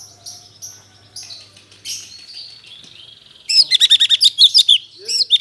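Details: Moulted black-headed bulbul, still learning to sing, starts with soft scattered chirps, then launches into a loud, fast run of sharp, high, twittering notes.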